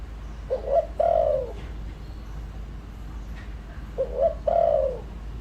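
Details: Caged decoy spotted dove cooing to rouse wild doves: two phrases, each a quick double coo leading into a longer descending coo, low-pitched and spaced about three seconds apart, with light background noise.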